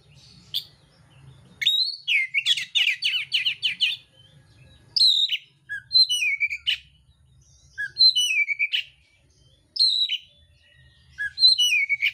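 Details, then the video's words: Oriental magpie-robin fighting song laden with harsh mimicry: a long rapid burst of ratchety buzzing notes, followed by repeated phrases of high sliding whistles descending into rougher notes, roughly every two to three seconds; faint low hum. "kacer mintal tarung bongkar isian kasar"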